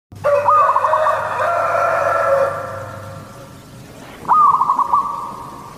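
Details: Local zebra dove singing actively in the Katuranggan Cendolo Sabdo style, a song suited to luring other zebra doves: two loud phrases, each a sharp opening note then a stuttering run of mid-pitched coos, over a low steady hum.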